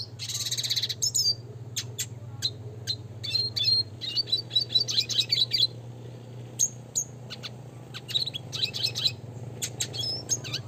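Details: Classic-type red siskin (Spinus cucullatus), recorded as a song-training master, singing a fast, high twittering song of bright chirps and short trills in bursts over a low steady hum.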